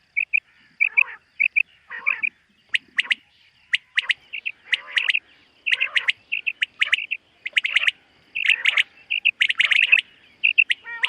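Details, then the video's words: Common quail heard on a summer meadow at morning, 2023: steady runs of soft chirps broken by crisp triplet bursts that grow denser and overlap toward the end. "Common Quail. Bird sounds from summer meadow |suba batair ki awaz 2023 | morning batair 2023"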